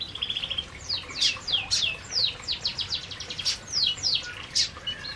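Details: Feeding canaries in an aviary produce bursts of steeply falling high chirps, several per second in loose clusters, opening with a short trilled run.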